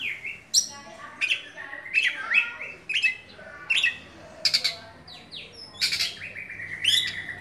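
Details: Oriental magpie-robin (kacer) kept as a songbird in Indonesia, giving a lively mix of harsh, scratchy bursts and short whistled slurs, repeated roughly every half second to second, with low background hum throughout.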